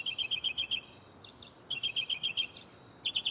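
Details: At night a mockingbird in a nearby tree delivers rapid strings of six or seven clear, high chirped notes, a brief pause, then the same string again, shuffling between phrases from its catalog; steady background hiss.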